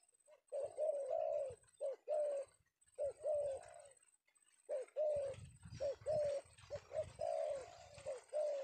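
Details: Male spotted dove (tekukur) cooing in the afternoon, a series of short low coos in clustered bursts, paired and tripled with brief gaps, some soft low thumps beneath the later phrases.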